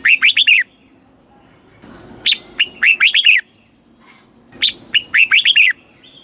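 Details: Caged red-whiskered bulbul, Thailand, southern master style used to excite birds and teach chicks: three brisk phrases, each a clipped opening note followed by four or five bubbling, fluty notes, about every two seconds.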